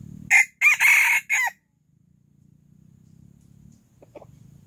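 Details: Silkie rooster crowing loudly in the early morning: a harsh four-part crow, a short note then longer broken ones, lasting about one and a half seconds, followed by near silence with soft low rumble and a faint distant chirp.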